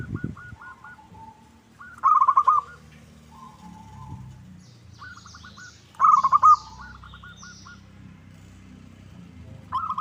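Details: Zebra dove lure call intended to provoke an answer: loud rolling coo bursts near two and six seconds, each answered by softer similar phrases, with low knocks at the start and thin chirps of other birds.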